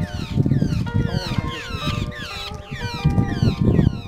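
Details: Large grey babbler (Argya malcolmi), call.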